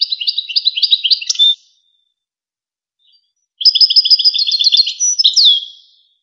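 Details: European goldfinch, Wakr Touzgha song style used for training young goldfinches and hybrids: two fast, bright twittering bursts separated by a two-second pause, the second closing with a sweeping downward whistle.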